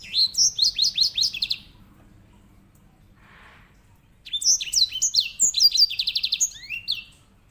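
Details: Grey singing finch delivering a string of rhythmic downward-swept whistles, a silent gap with a faint scratchy noise, then a lively phrase of slurs ending in a rapid buzzy trill.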